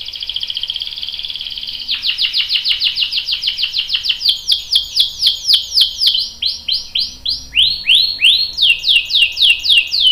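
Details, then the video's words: A canary sings a long trill for two seconds, then rapid repeated chirps at about three or four a second, later shifting to sweeping, falling notes. "KENARI GACOR cuit cuit bikin NYAUT ikutan BUNYI Ngerol panjang | CANARY SINGING"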